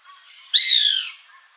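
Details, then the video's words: White woodpecker (Melanerpes candidus) in a Brazilian backyard with fruit: a single loud harsh nasal squawk about half a second long, strongly harmonic and slightly falling, over a steady high hiss of insects. "CANTO do PICA-PAU-BRANCO (MELANERPES CANDIDUS), WHITE WOODPECKER, BIRRO, CRI-CRI"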